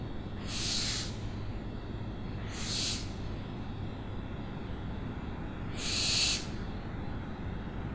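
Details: Owl screeching three times, each a rasping, breathy burst under a second long, spaced irregularly over eight seconds, with constant low-pitched background rumble.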